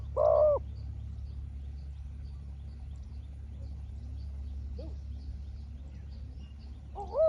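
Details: Spotted dove dueling with a wild, small-voiced rival; a loud two-part rolling coo opens and another closes the stretch, with a faint coo in between over a steady low hum.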